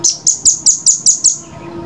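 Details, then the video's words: Velvet-fronted nuthatch, clearly recorded for training: seven sharp, very high chips in quick, evenly spaced succession, about four each second, with a slight downward slur on each note. "masteran jernih rambatan paruh merah"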